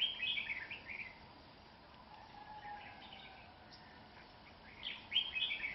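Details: Red-whiskered bulbul in an aggressive fight with a rival at a trap, windy cold day as the cold season begins; brisk chattering warble at the start and again near the end, a quieter gap between, soft low hum in the background.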